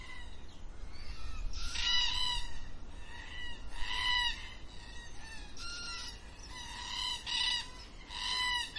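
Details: At dusk, a group of black cockatoos gives repeated harmonic, wailing squawks. Loud and soft calls alternate in quick succession, some overlapping, over a low background rumble.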